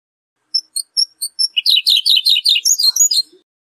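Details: European goldfinch song phrase: a few spaced high tinkling notes, then a fast run of rapid buzzy twittering syllables repeated about every tenth of a second, ending in a short liquid trill; clean recording, no other sounds.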